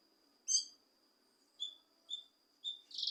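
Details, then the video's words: Leafbird (cucak kinoi) calls used to provoke a reluctant bird into singing: short bright chirps repeated roughly every half second, ending in a denser buzzy burst, over a steady high thin whistling tone. "Cucak Kinoi Untuk Memancing Emosi Kinoi Malas Bunyi"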